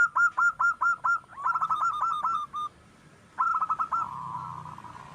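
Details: Wild zebra dove in lively song for luring others: five evenly spaced clear coos, a fast rattling coo series tailing off, then after a pause another quick series ending in a long purr.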